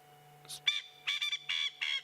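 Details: Wild Coqui francolin giving a territorial call while another answers from the distance: a short opening note, then four harsh, rasping, buzzy bursts in quick succession, each about a quarter second long, over a faint low steady hum.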